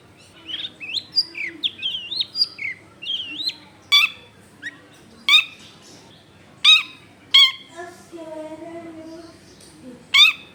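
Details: Long-tailed shrike song used as a lure to make other shrikes sing: a varied run of chattering, warbling notes in the first half, then loud sharp calls every second or so, with a lower drawn-out note near the end.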